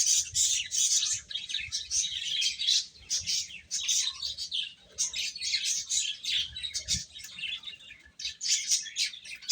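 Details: Baby chickens feeding, a nonstop crowd of shrill, high-pitched peeps rising and falling in loudness, short gaps between clustered bursts, soft low knocks now and then.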